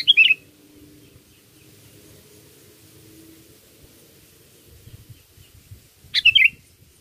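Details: Lure recording of a sooty-headed bulbul for bird catching: two quick bubbly whistled phrases about six seconds apart, with faint low murmur in between.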